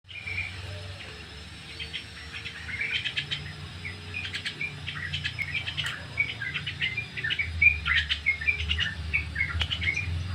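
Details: Sooty-headed bulbul in ngriwik song style, recorded as a training lure: rapid chirpy, twittering notes in bursts, fairly irregular at about three a second, with a low rumble of background hum throughout.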